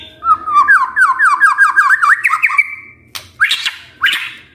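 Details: Magpie-robin lure song meant to provoke other birds into singing: a rapid run of looping whistled notes repeated about twice a second, followed after a short pause by harsher, buzzy rasping bursts.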